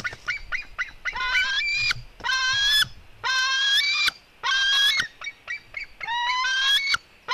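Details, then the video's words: Female white-tailed eagle eaglet fighting with her brother: loud, harsh, drawn-out squeals in about six long bursts, each held nearly a second, separated by brief silences and short clicks. "merikotkas female eaglet fight with her brother"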